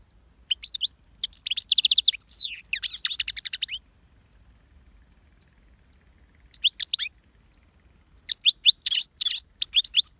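A goldfinch sings bright, rapid tinkling twitters in three bursts, the longest about three seconds, with quiet pauses between and no other sounds.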